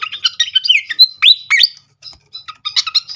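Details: Srikatan flycatcher song as a lure to spark singing: lively slurred whistles and upward-swept notes in quick succession, a short silence, then soft repeated chips resuming.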